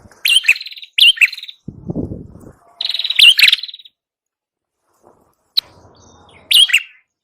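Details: Prinia known locally as prenjak kepala merah, in a recording meant for luring birds. Scattered bursts of shrill, high chirps are separated by gaps. Low rustling and a soft hum are heard between the phrases.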